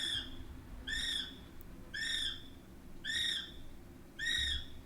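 Kiwi calling: five shrill, screaming whistles, each about half a second long and repeated roughly once a second, over a faint low hum.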